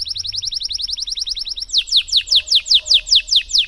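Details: A canary's long 'cengkok mewah' song, meant to stimulate silent canaries to sing; a fast even series of high chirps slows into louder, deliberate downward-slurred whistles about four per second.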